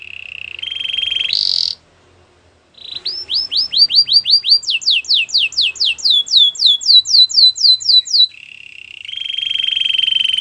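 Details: Canary song meant to encourage a silent canary: a steady rolling trill, a short gap, then rapid rising whistled notes shifting into higher downslurred syllables, ending in another level trill.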